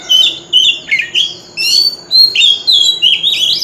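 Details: Loud contest-style lure song of an Oriental magpie-robin with a wild voice: rich whistled phrases that rise and dip, broken into varied bursts with short gaps between them.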